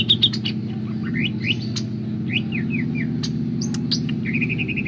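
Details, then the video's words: Kept greater green leafbird in full song, a varied string of upslurred and downslurred whistles, sharp ticks and a closing run of fast, evenly repeated notes, with a constant low rumbling hum underneath. "cucak hijau gacor dor"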